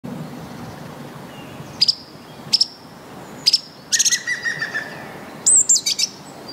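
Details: Song thrush singing: sharp, high clicking notes in separate bursts, then a run of fast repeated notes and a thin, high whistled phrase at the end. Gaps of quiet lie between the phrases.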